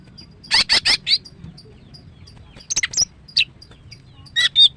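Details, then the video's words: Female greater green leafbird in heat, used to stir a male out of silence: four harsh, buzzy rasps, then scattered bright chirps and whistled notes with quiet gaps. "TERAPi MACET BUNYI dengan CUCAK IJO BETINA"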